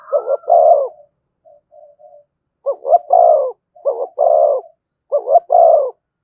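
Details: Spotted dove cooing in the thổ voice style, with thúc and kèm phrasing. Low, throaty, two-part coos come in paired bursts about every second and a half, with a soft, faint murmured phrase between them.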